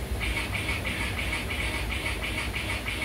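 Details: Budgerigar kissing, giving short, scratchy chirping bursts, about three each second in an uneven run, over a steady low rumble.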